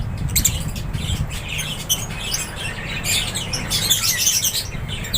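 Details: Lovebirds in an aviary, a flock chirping together: dense, overlapping high squeaky chirps and short squawks sounding continuously, with a steady low rumbling hum underneath.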